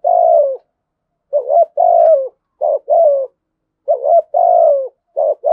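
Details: A spotted dove with a thổ sấm voice delivers mellow, low coos in doublets, a brief note leading into a long falling tone, repeated several times in a quiet setting.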